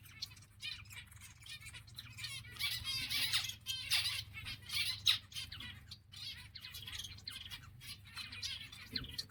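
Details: Many exhibition zebra finches chattering continuously, rapid overlapping nasal chirps and buzzy song phrases rising and falling in intensity, with a low background hum.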